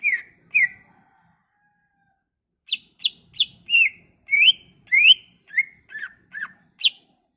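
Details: Leafbird song meant to lure a quiet leafbird into singing: two whistles, a pause, then a varied run of sharp rising and falling whistled notes.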